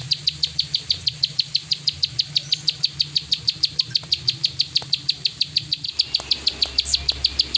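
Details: Plain prinia with an unbroken stream of fast, high, metallic clicks in the 'klik ngacor' style, while a low hum fades out toward the end.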